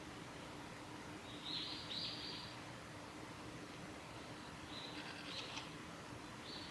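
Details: A female Siberian long-tailed rosefinch on the Hayato River forest road at Lake Miyagase, Japan, 28 December 2018, gives soft, high, thin call notes in a few short bursts over steady low background noise.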